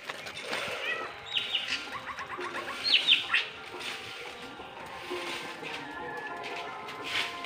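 Greater racket-tailed drongo gives a run of quick, clipped notes, then a few loud, ringing metallic whistles, over a faint steady hum and distant chatter.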